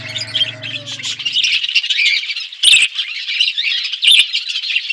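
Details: Budgerigars in an outdoor aviary set in a forest environment, eating seeds; dense, overlapping high chirping warble from many birds, with a low droning hum during the first second and a half and a couple of sharp clicks.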